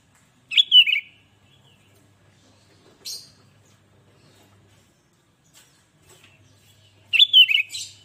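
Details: Sooty-headed bulbul singing, played to provoke other bulbuls: two bubbly whistled phrases about six seconds apart, separated by a lone brief high chirp, in otherwise quiet surroundings.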